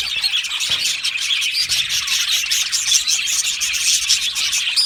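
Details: Colony of budgies chirping and warbling in an aviary, bright tweets and short whistled notes over an unbroken background of chatter.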